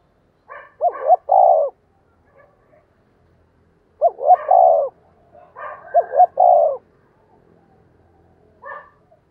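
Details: Seasoned decoy spotted dove calling to lure wild doves: low, mellow coo phrases, each two short, bent notes followed by a longer held coo, given three times with pauses between, plus a faint soft note at the end.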